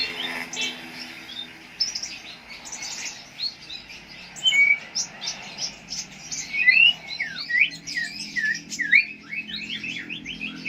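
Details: Konin lovebird in Jambi, Indonesia, producing faint high twittering that grows into louder squeaky chirps and short bright whistled slurs, repeated irregularly through the latter half.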